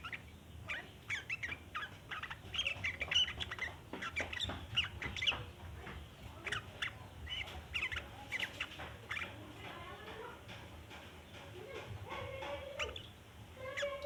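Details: Sooty-headed bulbul in long chattering song, used to lure other bulbuls; dense scratchy chatter in irregular bursts, loudest early on, then softer rolling notes and a few lower warbled phrases near the end, with steady background hum.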